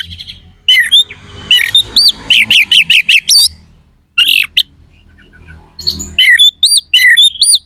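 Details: Oriental magpie-robin in loud song with harsh, sharp phrases, meant to provoke rival birds for contests: quick series of bright up-swept whistled notes repeated in runs, a pause, then more chirping phrases.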